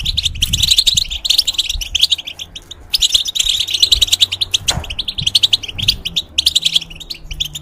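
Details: Goldfinch kept in a cage delivers tutor song for young goldfinches and hybrids: bursts of fast, bright twittering and jingling notes separated by short pauses, with a faint low hum.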